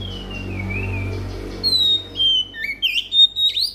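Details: Oriental magpie-robin lure song for trapping and for getting magpie-robins to sing: a long wavering whistle sliding downward, followed by short bright whistles and upturned notes in quick succession, with a low hum beneath.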